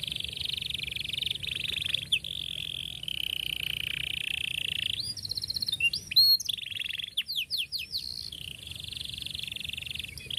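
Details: Canary singing long rolled trills to teach young birds: a sustained dense trill for about five seconds, then sharp upward sweeps and clipped whistles, ending with another steady trill; low background hum throughout.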